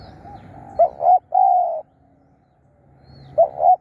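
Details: Spotted dove kept as a decoy for luring wild birds, cooing a phrase of two clipped notes and a sustained mellow note, with the next phrase starting at the end.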